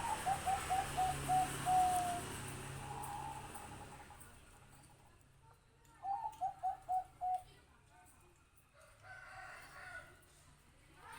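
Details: Bangkok-type zebra dove song: a rapid string of short, soft coos ending in a longer drawn note, given twice a few seconds apart, with faint hiss and distant clatter in the background.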